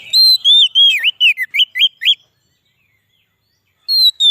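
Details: Kacer, the Oriental magpie-robin, singing a song used to lure wild birds and excite others. A quick two-second run of bright whistled notes swoops up and down, then silence, then one fresh high whistle.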